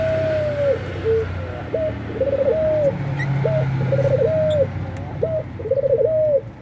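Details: Vocal Eurasian collared dove (puter pelung) wanting to mate, giving repeated mid-pitched cooing phrases, each a short note followed by a rolling double coo, repeated about every second and a half over low background hum.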